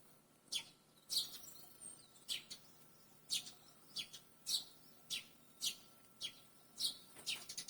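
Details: Barn swallow calling: short sharp high chirps, roughly one every second, some doubled, with a faint steady hum beneath.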